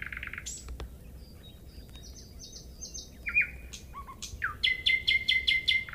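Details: Nightingale song over a soft steady hum: a buzzy start, thin high notes, a few repeated chips, then a loud rapid series of stacked, evenly spaced notes at the end.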